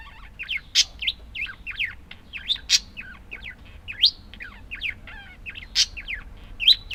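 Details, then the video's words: Busy chatter of budgerigars, rapid slurred chirps and twitters running together, with loud sharp squeaks popping out every second or so. "Волнистые попугайчики (budgies)"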